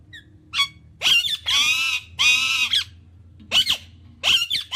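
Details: Indian ringneck parakeet giving loud, harsh, drawn-out screeches, several long grating calls separated by short gaps, with a low steady hum underneath.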